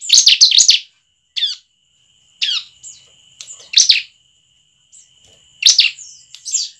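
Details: Bar-winged prinia lure recording, used to prompt other prinias to sing: sharp, scratchy chirp bursts in short phrases about every second or two, over a faint steady high-pitched whine.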